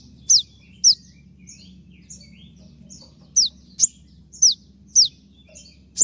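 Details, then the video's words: Konin 'tembakan' shot calls used as training material for cage birds: loud, high, slurred downstrokes in irregular bursts, with fainter softer notes between and a quiet low background hum. "dengan suara tembakan seperti ini pasti bikin kelas kicau koninmu melecit tinggi"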